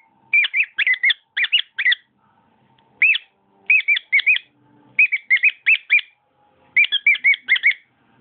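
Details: Cockatiel kept as a pet, singing phrases of three to five twisting whistles separated by short pauses, with soft low background tones.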